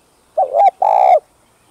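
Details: A single spotted dove phrase used as a lure for wild doves: a wavering rolled hoot followed immediately by one long, flat, loud coo.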